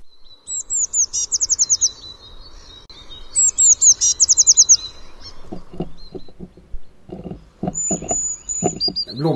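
Eurasian blue tit: high, thin notes run into a quick, silvery trill, given twice. A voice speaks afterwards.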